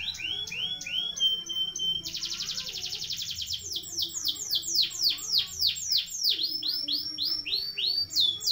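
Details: Canary ngeroll song for training other birds: looped whistled notes, then a dense buzzy roll from about two seconds, followed by a lively cascade of high sweeping notes repeated several times a second.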